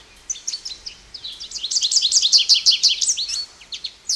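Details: Song of an American goldfinch building from faint chirps into a loud, fast series of bright, repeated twittering notes, then easing back into scattered high calls.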